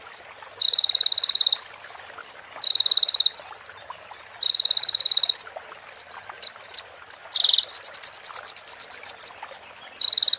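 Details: Crimson sunbird (konin) training recording with added prenjak female and ciblek phrases: buzzy sustained high trills in repeated bursts of about a second, short whistled notes between them, then a run of separate sharp chips.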